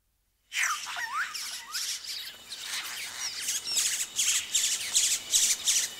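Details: Yellow-rumped cacique chicks calling close-up at the nest as adults arrive: dense high scratchy chatter with sliding whistled notes, then rapid bursts repeating roughly three times a second.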